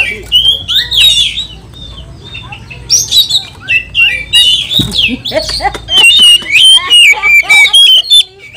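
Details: Agitated oriental magpie-robin (kacer) pouring out a fast, emotional song that goads rival magpie-robins: clear whistled slurs and buzzy chips tumble in dense bursts, quieter gaps at first, then a sustained loud stretch of varied high notes.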